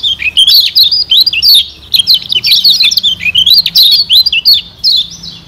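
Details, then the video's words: A Lombok lemon-bellied white-eye (kecial kuning) sings a fast, high, unbroken twitter of sweet warbled notes rising and falling in quick bursts. The recording is used as a lure to stimulate other white-eyes. "Pancingan Kecial Kuning"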